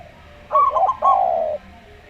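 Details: Local zebra dove with a brief slow-style phrase: quick choppy notes sliding into one long, even, slightly falling coo.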